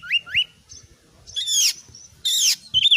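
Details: Oriental magpie-robin singing hard in a master recording meant to test other birds' mettle: two quick rising whistled slurs, then two loud harsh rasping bursts separated by a pause, ending on a bright whistle.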